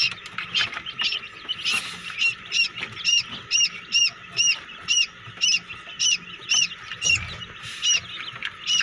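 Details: Quail (batair) chicks hatching in a homemade egg incubator give high, sharp peeps, each a short rising-falling chirp, repeated about twice a second in a steady chorus with faint background hiss.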